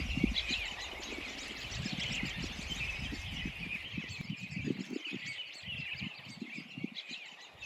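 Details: A flock of perhaps 40–50 or more American Robins in a northwest Minnesota ghost town gives a steady chorus of overlapping high chirps and chatters. It is early April, snow is falling after a snowstorm, and the robins are feeding on crab apples. Low wind rumble and handling bumps sound underneath.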